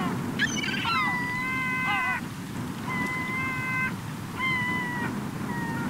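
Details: Gulls flocking on a beach in Cotentin at summer's end, 7 September 2024: long drawn-out level mewing wails in several overlapping bursts, with a steady wash of surf behind.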